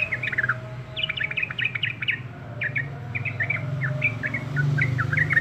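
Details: A yellow-vented bulbul chatters keenly in bursts of quick, sliding, chirpy notes, with short pauses between groups, against a noticeable low rumbling background.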